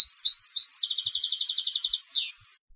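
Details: Competition goldfinch song: quick high chirps lead into a dense, even trill of rapid twittering notes, ending in a sharp downward-sliding buzzy note before silence.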